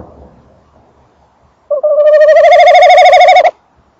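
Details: Male tawny owl near and in the nest box, female also audible: after faint rustling, a short note leads into a loud, rapidly pulsing trill lasting almost two seconds.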